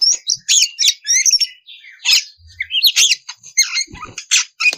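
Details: Ngeplong-style oriental magpie-robin song, used as a lure to call raw magpie-robins into song: rapid high chattering phrases mixing clear rising whistles with harsh, buzzy notes, delivered almost without a break.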